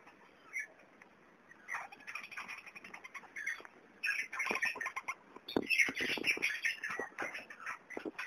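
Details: Young kakarikis giving a busy stream of squeaky, chittering chirps, short notes repeated rapidly and growing louder and denser in the second half, with scratchy rustling and clicking movement noises throughout.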